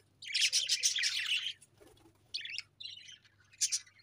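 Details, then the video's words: Pet budgerigars give a dense burst of rapid, scratchy twittering, then fall quiet before several shorter chirp clusters and one last bright chirp. "𝑩𝒖𝒅𝒈𝒊𝒆 𝑩𝒊𝒓𝒅𝒔 𝑪𝒉𝒊𝒓𝒑𝒊𝒏𝒈 𝑺𝒐𝒖𝒏𝒅𝒔"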